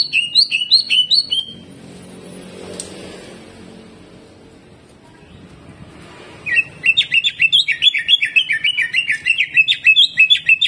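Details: Greater green leafbird singing bright slurred whistles, then nearly four seconds of quiet with faint background noise, followed by a long, fast chattering run of high, harsh notes repeated several times a second.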